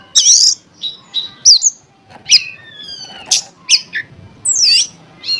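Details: Oriental magpie-robin (kacer) song used to provoke other magpie-robins into singing: varied loud whistles, squeaky rising and falling notes and harsh buzzy bursts in quick separate phrases, with faint low background noise.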